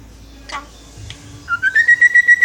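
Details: A pet talking Jungle Myna gives a harsh burst and a click, then a rising whistle that breaks into a rapid string of about eight bright, even whistled notes.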